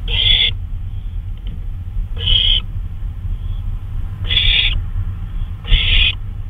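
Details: At 2:39 AM on May 26, 2013, an owl on a flyabout gives four rasping, breathy screeches, each roughly half a second long and evenly spaced about two seconds apart, with constant low-pitched background hum.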